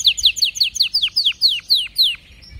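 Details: Canary delivering a series of about ten clear, sharply descending slurred whistles, roughly four per second, slowing slightly toward the end before stopping.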